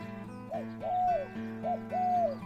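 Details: A kept zebra dove in Nong Bua Lamphu province, Thailand, coos on its owner's prompting: short arched coos, a quick note then a longer drawn-out one, twice in succession, over a steady musical hum.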